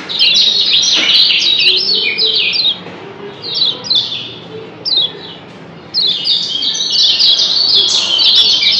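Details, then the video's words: Kecial kuning Lombok, a yellow white-eye of Lombok, giving dense 'doble ciak' double chirps as birds answer one another; high, sharp twittering notes tumble rapidly and continuously, with a brief quieter lull midway before the excited chattering resumes at full intensity. "Doble Ciak Kecial Kuning JOSS BERSAHUTAN‼️Bikin Yg Denger Pasti NYAUT‼️"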